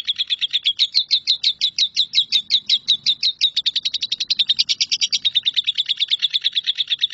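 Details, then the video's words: Lovebird performing the 'nyambung kuntilanak' continuous song, a tutor recording for shrikes: a long, rapid, slightly uneven series of piercing chirps, about three per second, swelling briefly midway and running on without pause. "LOVEBIRD NYAMBUNG KUNTILANAK"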